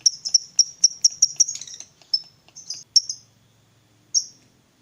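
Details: Lovebird of fighter type used to coax a silent lovebird: a quick series of high ticks merging into a short rattle, then a few scattered shrill chips and silence.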